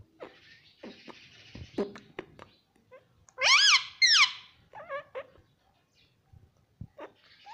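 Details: Pet ringneck parrot indoors, mimicking the words mummy and mitthu: soft clicks and tapping noises, then two loud, bright, wavering squawks with rising and falling pitch, followed by a few shorter chirps.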